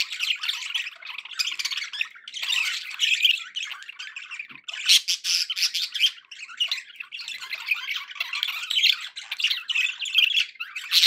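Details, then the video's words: Budgerigars sing in an unbroken, busy stream of chirping, squawky warbles and sharp clicks lasting over ten seconds. "budgie sounds to encourage your parrot to eat and sing"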